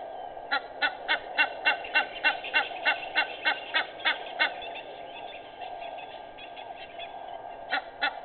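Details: Egyptian goose on 18 May 2019 at 06:25 giving a quick run of harsh honks for about four seconds, then falling silent before two more notes at the end, background hum throughout.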